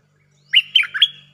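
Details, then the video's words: Lure recording of a bulbul singing a 'เพลงจ้าวแบงค์' phrase with doubling: three liquid, slurred whistled notes in quick succession, the final one climbing high, over a faint low steady hum. "เสียงนกดอกแตงEp.153 ฟังกันยาวๆเพลงจ้าวแบงค์ มีเบิ้ล เพลงเพราะน่าฟังSuara pikat merbah lekir gacor"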